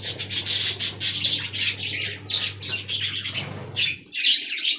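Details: Many budgerigars in an aviary colony keep up loud, high, buzzy warbling and rapid chirps in pulsing bursts, briefly dropping off before resuming, over a constant low hum.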